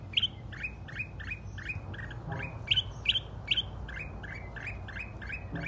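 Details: Mountain red-whiskered bulbul released from its cage fights on and on with a caged bulbul, returning to attack despite being shooed: harsh, buzzy chattering bursts, two or three a second, with brighter squawks over low rumble.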